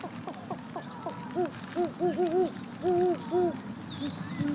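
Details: Great horned owls calling between mates in rain at Charlo, Montana, USA; the female sits in the nest with three owlets while the male calls from a distance. Quick short hoots, then several longer, hollow, arched hoots in pairs, over crackling rain.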